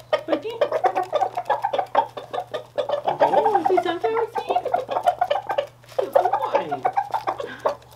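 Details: Rooster kept by people, described as super happy then terrified, giving a long run of rapid throaty clucks and warbling notes that rise and fall, nearly continuous, with faint background music.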